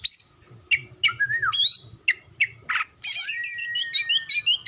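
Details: Oriental magpie-robin, kacer, in long masteran song: separate sharp whistled and slurred notes, a rasping note, then a fast continuous run of tinkling, varied phrases.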